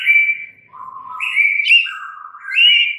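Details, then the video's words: White-rumped shama, a kept songbird, giving slow clear whistled notes that step between higher and lower pitches, each held and smoothly sliding into the next. "murai batu BISU, STRES, MACET TOTAL bakalan NYAUT GACOR dan Kembali FIGHTER"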